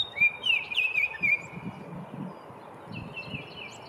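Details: Male Baltimore oriole at a local park on a spring morning gives a quick phrase of rich, fluty whistled notes slurring up and down, then a fainter whistle, over a low outdoor rumble.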